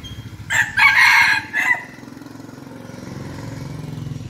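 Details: A seven-month-old red junglefowl rooster kept as a decoy in Bình Phước, Vietnam, crows loudly in three harsh, broken segments over about a second and a half. A steady engine-like hum follows.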